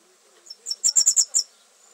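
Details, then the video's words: A red fody sings a quick burst of high, thin, sizzling notes, about six in under a second, in otherwise quiet surroundings. "Red Fody Singing"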